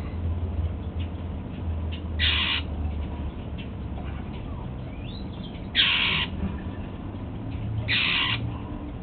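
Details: Household male Golden-fronted Leafbird breakfasting on apple utters three coarse, grating bursts, the last two closer together, with a faint sliding whistle in between over constant low-pitched background noise.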